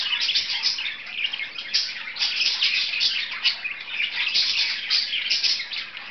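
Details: Two budgerigars kept as pets, playing; rapid, busy chirruping and twittering chatter with sharp squeaky accents, steady and unbroken from start to end.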